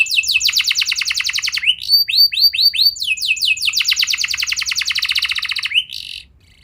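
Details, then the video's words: Young-canary training lure of canary song. A rapid high trill breaks into a run of looping downslurred whistles, then a second long rattling trill, before the singing stops abruptly near the end. "Pancingan Burung Kenari Muda! Ampuh Buat Mengatasi Kenari Muda Susah Gacor Pasti Langsung Ngeplong"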